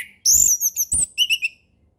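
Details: Ngeplong song of an orange-headed thrush, given as a lure for young birds learning the style: a sharp high sweeping whistle, then a short chain of clipped whistled notes, with a faint thump underneath.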